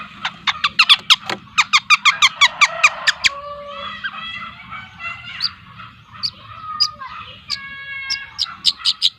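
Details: Young long-tailed shrike, two months old, speckled Lampung type, with a rapid train of sharp ticking notes, then nasal harmonic phrases and squeaky chatter, closing on more quick repeated clicks.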